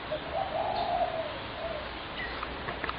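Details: Spotted dove calling, recorded on 21 January 2017: low hooting coos run together in a short burst near the start, over steady background hiss with a few faint higher chirps from other birds toward the end.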